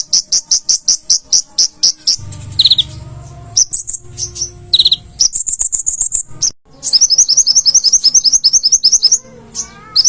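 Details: Singing konin (olive-backed sunbird) used for training cage birds: long runs of high, rapid chirps, broken by squeaky slurred notes and a brief buzz, ending in a fast twittering trill; faint low rumble behind.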